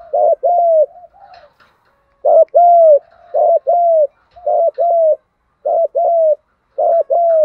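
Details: Spotted dove, strong voice, 'thúc gù' style coo for luring wild doves; six even pairs of low notes, a short curled syllable followed by a held arched one, repeated roughly every second after a brief pause.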